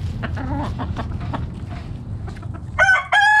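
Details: Backyard chicken flock foraging in the morning: a few short, soft clucks, then a loud harmonic crow breaks in near the end, cut off and resumed, over low background rumble.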